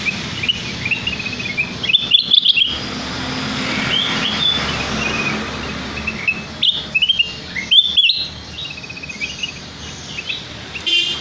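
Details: Luring song of a sooty-headed bulbul, played to coax birds into singing their repertoire: repeated clusters of bubbly, slurred whistles and quick chirps in several bursts, separated by short pauses, over background hiss and low hum.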